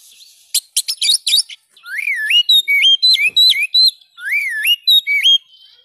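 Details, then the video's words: Oriental magpie-robin (kacer) song meant to get a silent caged bird singing again: opening rapid chattering bursts, then repeated loud looping whistles that rise and fall, several similar phrases in quick succession. "ampuh membongkar burung kacer macet"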